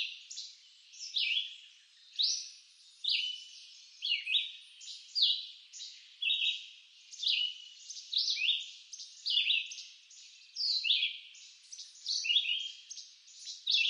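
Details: Persistent red-eyed vireo song in woods of eastern North America, a long string of short whistled phrases, roughly one per second, varying between rising and falling slurs, with little background noise.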